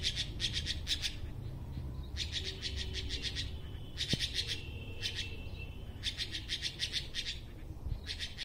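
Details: Red-billed blue magpie singing on a tree: short bursts of rapid, harsh clicking notes about a second long, broken by brief pauses, with a faint sustained tone in the background.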